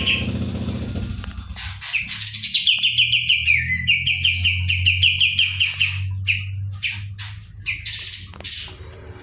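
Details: Kapas tembak (Pied Triller) singing energetically: harsh buzzy notes open, then a quick run of clear repeated notes that drops slightly in pitch, followed by scratchy chatter; steady low drone behind.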